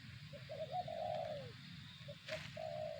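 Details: Spotted dove giving a short-notes-then-long-coo phrase, the drawn note easing downward, with a brief sharp noise partway and low background hum throughout.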